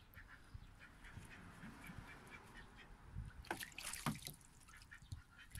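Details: Pet aigamo duck, a male that newly joined a household in June 2023, giving a few soft, low calls followed by a cluster of louder, harsher quacks midway, with rustling and light handling noise throughout.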